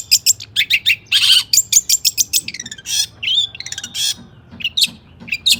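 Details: Long-tailed shrike singing with high excitement to draw song from other shrikes: jumbled chirps, a harsh burst, rapid twittering and scratchy notes, loud and close.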